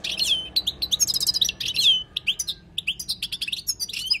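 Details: Wild European goldfinch song used for tutoring, a fast, nearly unbroken stream of tinkling twitters and liquid slurred notes that runs without a break for four seconds.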